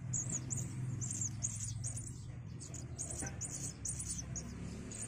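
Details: Five-day-old Javan myna nestlings in a cage calling as the male and female parents feed them in turn: a steady series of thin, high squeaky chirps, about two or three each second, over a constant low hum.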